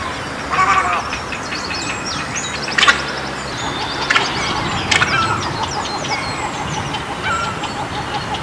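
A busy chorus of egrets: harsh, croaking squawks overlap from many birds at once, with a few louder rasping outbursts rising above the steady din.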